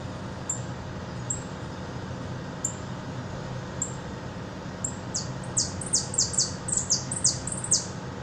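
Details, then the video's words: Buenos Aires hooded siskin, repique-style song: scattered thin high chips, then a dense burst of quick, bright downward-sweeping notes in the second half, with constant low rumbling noise beneath. "jilguero de repique de bs as"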